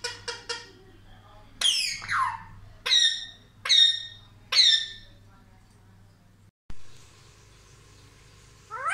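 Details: Pet talking Indian ringneck parrot, reputed to say "mummy papa", giving sharp shrill notes that fall in pitch, repeated about once a second, after two short clicks; a brief dropout follows, then quiet hum.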